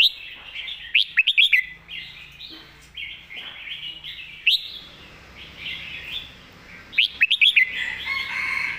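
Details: Red-whiskered bulbul singing a 'master song' style phrase set: quick bright warbled and whistled notes in bursts near 1, 4.5 and 7 seconds, with softer overlapping chatter between them.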